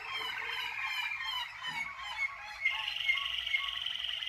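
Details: Singing Waterslager canaries, 2019, delivering a continuous liquid warble with fast rolling trills, shifting midway into a higher, sharper run of repeated bright notes.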